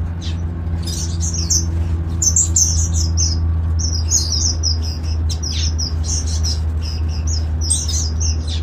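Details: A breeding colony of golden finches in an open garden aviary twitters in quick, high, thin chirps and short trills from several birds at once, over a steady low mechanical hum.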